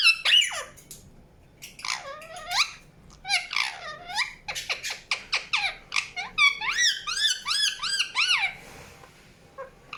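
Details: Chattering Indian ringneck parakeet with loud, grating calls that swoop down and then up. They run into rapid trains of arched chirps, followed by a few softer notes at the close. No other clear sounds.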